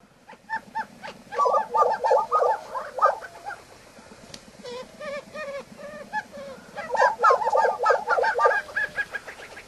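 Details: Imperiled lesser prairie-chickens of southwestern United States shinnery oak and sandsage grasslands: quick runs of hollow, clucking, gobbling notes in loud clustered bursts, a softer stuttering stretch in the middle, then another vigorous burst.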